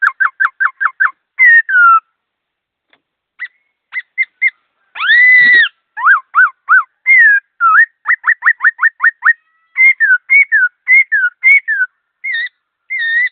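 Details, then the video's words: Laughingthrush singing fast with clear notes: a long run of loud whistled phrases, quick downslurred notes, rising and falling slurs and sharp chips, with short pauses between bursts and no other sounds. "Suab sab fwj quaj zoo nrov zoo"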